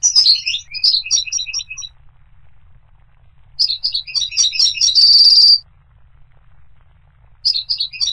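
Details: Goldfinch singing in separated bursts of high, tinkling chirps and twitters that jump between pitches, one phrase ending in a sustained buzzy trill, with quiet pauses between phrases.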